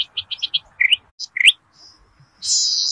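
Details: Zitting cisticola in rice fields, used as a lure call: a quick run of five sharp, high ticking notes, then two rising whistled upslurs and a harsh buzzy burst.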